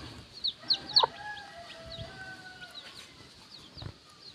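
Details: Free-range chicks feeding with their mother hen near the coop before dusk, making quick high downslurred peeps in bursts, with a few longer level tones and soft scuffling.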